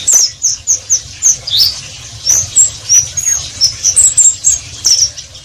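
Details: Oriental white-eye producing ngeriwik twitter as a series of short, very high, clipped chirps repeated roughly every third of a second, separated by brief gaps, with low background rumble.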